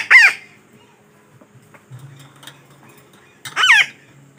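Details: Two separate harsh, descending parakeet squawks, one at the start and one near the end, with quiet low background between. The call serves as a lure for trapping.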